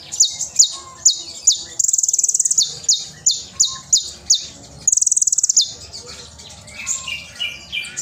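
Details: Oriental magpie-robin in loud tutoring song for young spotted birds, with sharp shots and rich fill. Quick down-slurred whistles and high buzzy trills alternate, ending in softer, lower varied warbles.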